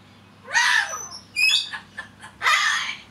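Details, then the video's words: Male pet cockatiel waffling away to himself while unwatched, giving three raspy, squawky bursts mixed with brief whistled notes, steady hum behind. "Corella Parrot Talking"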